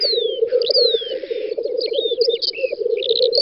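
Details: Lekking black grouse in a spring field, Volga federal district, May 2019. A low bubbling chorus continues under a long hiss, falling whistled notes and quick chirping phrases from other birds.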